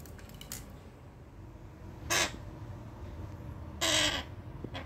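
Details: A cockatiel gives two harsh, rasping screeches, spaced nearly two seconds apart, during rain, over a steady background hiss.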